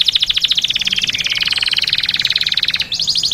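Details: Canary rolling out a long, fast, pulsed trill that barely changes for nearly three seconds. A brief break is followed by a quicker, higher burst of notes.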